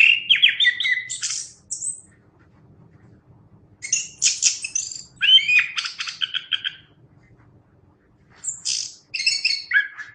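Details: Chestnut-capped thrush song in three bursts of chattering trills, squeaky whistles and high slurs separated by quiet pauses of about two seconds; a faint low hum runs beneath.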